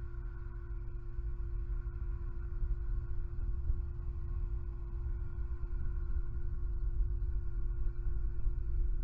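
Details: A steady low rumble and hum with a faint constant tone, and no animal calls heard.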